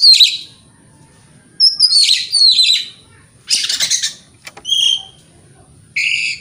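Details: White-rumped shama song meant to provoke other shamas: a short high burst, then descending whistled notes, a harsh raspy chatter, thin ringing notes and a final buzzy phrase.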